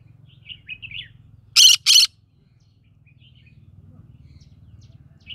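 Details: Green-cheeked conure living in the middle of a rice field gives two loud, harsh, raspy squawks in quick succession after a few soft high chirps, over a low steady rumble.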